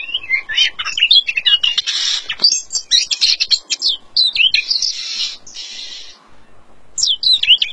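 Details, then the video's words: Featherless Oriental magpie-robin pouring out a long varied song: quick whistled slides, harsh buzzy bursts and chattering notes, a short lull near the end, then sharp rising chirps resume. "Kacer Tanpa Bulu gacor"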